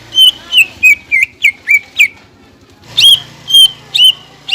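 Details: Greater green leafbird song played to make other birds sing: a series of clear, downward-curving whistles spaced about a quarter second apart, a pause, then louder separated whistles over a low hum.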